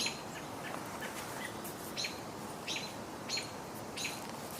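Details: On a late-June woodland walk, Dark-eyed Juncos on the ground behind the recordist give brief, sharp, high chip notes at an uneven pace, roughly one every half second to second, over a steady background hiss.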